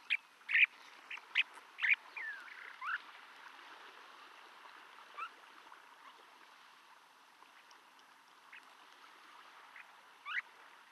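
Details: Snowy Plover in California, recorded March 2012 at Imperial Beach or the Salton Sea shore, giving short, sharp rising notes: several quickly in the first three seconds, then a few scattered ones over steady soft surf-like hiss.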